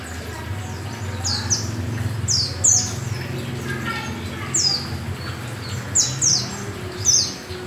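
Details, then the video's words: Yellow-breasted oriental white-eye, kept as a hobby bird, singing eagerly with open beak: sharp, high downslurred chirps in short clusters, seven or eight across the stretch, over a steady low hum. "Burung pleci dakun(dada kuning) Gacor sudah buka paruh"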